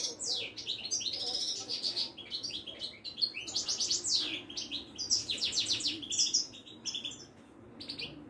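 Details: A caged Moroccan Widani European goldfinch, from a Casablanca bird market, sings a long, dense, excited twittering song. Rapid downward-sweeping chirps and buzzy tinkling notes pour out almost without pause.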